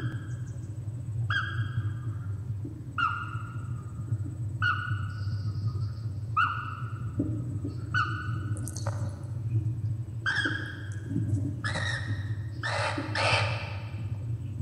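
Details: A laughing kookaburra in Australia gives low, repeated hooting notes about every second and a half, then builds into a loud, rollicking, laugh-like cackle, over a steady low rumble.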